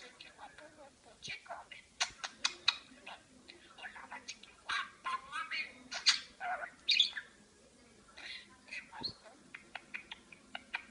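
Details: Talking parakeet chatters in quick bursts of scratchy warbles, sharp chirps and mimicked speech-like sounds, louder peaks around the middle, with brief pauses between phrases.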